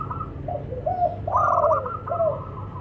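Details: Local zebra doves, male and female, calling and answering each other; soft mid-pitched cooing phrases with a brief burst of quick notes in the middle, against a low steady background hum.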